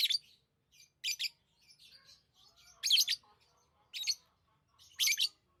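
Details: Pet lovebirds making sharp, high chirps in separate bursts about a second apart, with faint softer twitters in the gaps.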